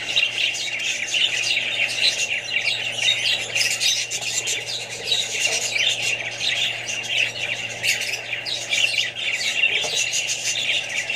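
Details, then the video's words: Flock of Australian budgies mixed with other parrots and babies, chattering nonstop; many overlapping shrill, grating chirps and squawks blend into a steady high wash of sound throughout. "australian budgies parrots more birds & babys"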